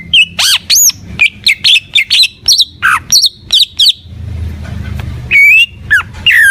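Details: Cucak ijo, the greater green leafbird, singing gacor: quick bursts of bright whistled and swooping notes, a brief pause with low rumbling noise, then rising whistles resume.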